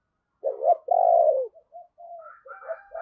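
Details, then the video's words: Spotted dove decoy with a deep 'giọng sấm bầu' voice, calling to entice wild birds: a short coo note then a loud, sustained husky coo, followed by soft scattered notes. "Tiếng Chim Cu Gáy Giọng Sấm Bầu Gáy Hay - Chim Cu Mồi"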